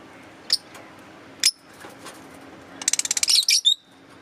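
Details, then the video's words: Green Fischer's lovebirds: spaced sharp high chirps, then a quick stuttering series of about ten clicking notes ending in squeaky chirps and a thin whistle. "Cute Love Birds chirping & Sound"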